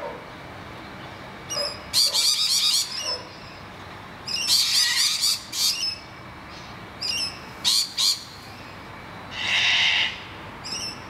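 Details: Scattered bursts of raspy screaming from rainbow lorikeets defending their nest hollow from noisy miners, with quiet gaps between outbursts and one broader hissing burst near the end.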